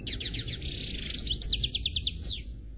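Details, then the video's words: European goldfinch, a black Khalwi bird, delivers flawless song: quick liquid twitters, a brief harsh buzzy stretch, then a steady string of repeated bright chirps and a final downslurred note. "Chardonneret Noir Khalwi Chant sans fautes"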